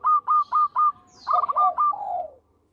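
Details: Local Zebra Dove singing, sweet-voiced and used for luring birds: four quick, clipped, identical high coos, then a rolling burst of stuttered notes ending in a soft falling trill.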